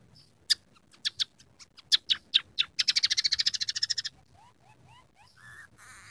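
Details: Scaly-breasted munia singing steadily, its song filled with mimicked house sparrow, red siskin and rough canary phrases: sharp separate chirps, then a fast run of about a dozen clipped notes, then soft rising slurred whistles.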